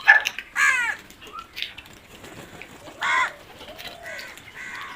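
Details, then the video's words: Crows calling outdoors: two harsh, hoarse caws near the start and another around three seconds, with fainter softer calls and other background bird sounds between them. "Crow sounds"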